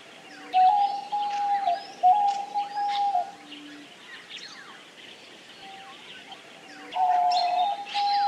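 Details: Diamond dove cooing in long, level, mid-pitched tones: a pair of coos in the first three seconds and a strong sustained one from seven seconds, soft low hoots between, while numerous small birds chatter and tweet behind.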